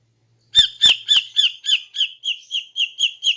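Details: A female greater green leafbird in the morning, calling to lure males. Eleven squawky notes in a steady run, roughly four per second, starting loud and slowly fading.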